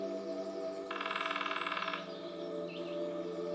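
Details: A female lesser spotted woodpecker, one of a calling and drumming pair in Nottinghamshire woodland, UK, drums a single even roll lasting about a second, roughly twenty rapid strokes, over a steady humming, music-like drone.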